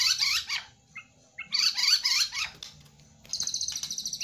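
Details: White-rumped shama in captivity delivering fast, varied song phrases of sweeping high whistles and chirps, pausing briefly between bursts, ending in a rapid buzzy trill.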